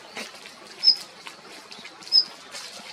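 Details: Common Kingfisher giving two short, thin, very high whistles about a second apart, with soft clicks and tapping sounds in between.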